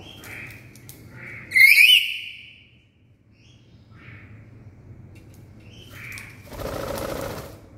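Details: Black-capped lory, a very loud call: one harsh, rising, whistled squawk with strong overtones, then a few quieter short notes and a burst of broadband noise near the end.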